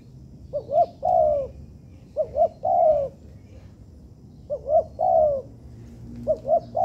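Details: Trained captive spotted dove in an artificial yard giving four repeated phrases, each two short hooting notes then a longer falling coo, spaced roughly every one and a half to two seconds.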